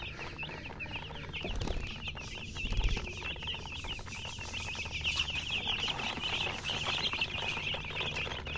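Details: A brood of chicks peeping, bright arched chirps streaming without pause, interrupted by a couple of louder thumps and scuffles early on.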